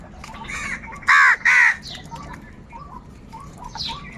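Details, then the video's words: Crows squabbling over food give two loud, rasping caws in quick succession, then fall quiet. Thin whistled chirps from other birds carry on steadily in the background. "Crow Crying Continuously and Loudly |kaka sound and noises of crow birds | Angry kauwa ki awaaz"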